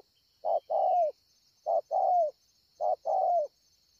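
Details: Wild spotted dove at Ngọc Hồi, Vietnam, 25 March 2020, giving three measured coo phrases, each a short hoot and a longer coo falling at its end, spaced about a second apart; faint steady hum above.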